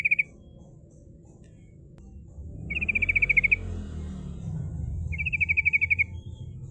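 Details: Sooty-headed bulbul lure song to call rivals, rolling style: a brief note, then two long fast trills of evenly spaced high notes, heard over a low rumbling background hum.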